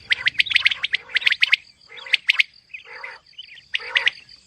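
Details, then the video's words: Calls of a female common quail (batair): quick clusters of crisp chirping notes, then a pause and softer, lower notes before another short burst, over a faint steady high hum. "Female Batair Calling |Quail Sounds suba k | Mix Calling | Maad Batair Ki Awaz | Female Quail Sounds"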